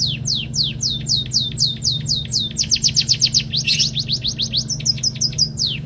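A captive munia sings a fast run of high, downslurred chips, about four per second, in imitation of canary song, ending in thinner whistles, over a steady low hum.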